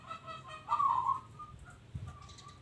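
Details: Local zebra dove, singing actively, gives a single bright, burry coo burst after softer notes that lead into it, then trails off into faint thin tones; a soft thud is heard near the end.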